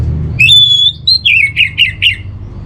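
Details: Orange-headed thrush master song to calm a home bird's emotion and breeding drive: a long sustained high whistle, then a series of four or five quick slurred, falling notes, over faint low hum.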